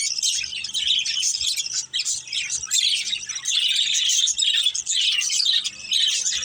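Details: Budgerigars in a family group keep up a lively continuous warble of high chirps, trills and squeaky twitters, overlapping voices filling the whole stretch with barely a pause.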